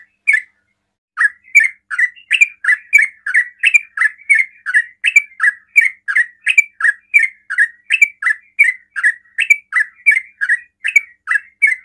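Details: Long burst of sooty-headed bulbul 'ropel' song, fast singing meant to provoke other bulbuls to answer: after a second's pause, some thirty loud bubbly notes follow nonstop, about two or three per second.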